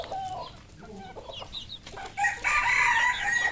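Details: Red junglefowl on a farm in Cambodia: high hooked chick-like peeps repeat rapidly, then a rooster gives a drawn-out harmonic crow lasting over a second near the end.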